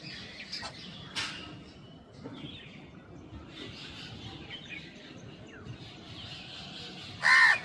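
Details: Crow calling while feeding: after a stretch of faint, thin chirps from small birds over a steady background hiss, one loud, harsh, hoarse caw bursts out near the end.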